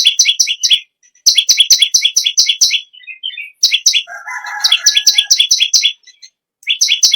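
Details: Bar-winged prinia singing loudly: bursts of rapid sharp high chirps, broken by some softer twittering notes and a lower warbling call mixed in midway.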